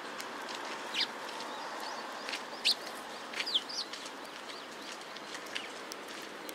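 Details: Sparrows recorded on 2 May 2017: a handful of short, high chirps at irregular intervals, some sharply rising or falling, over a steady background hiss.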